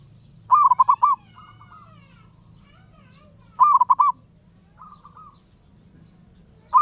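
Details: Restless wild zebra dove: loud rolling cooing phrases of five quick beats, each followed by a softer echoing trill, repeating about every three seconds over a low droning hum.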